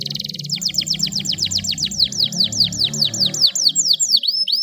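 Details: Canary song used to stimulate a stressed canary that has stopped singing: a fast high trill of repeated downward-sweeping whistles, roughly three per second, over steady low music-like background rumble.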